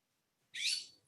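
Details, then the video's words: A single harsh, rasping blue jay squawk, about half a second long, heard outdoors during a conversation after a moment of near silence. "There's a blue jay squawking out here."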